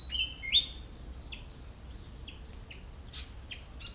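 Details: In a garden, a foraging Malaysian pied fantail gives a few sharp, rising squeaky notes, then scattered thin high whistles, with a soft low rumble in the background.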